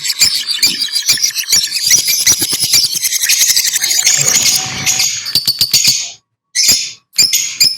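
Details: Lovebird chatter: a continuous high, scratchy twittering with quick clicking pulses, then a few short shrill squawks separated by silent gaps.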